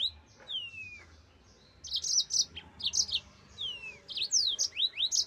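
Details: Yellow-fronted canary (mozambik) giving long slurred falling whistles, then a run of sharp high chirps and quick upsweeping notes.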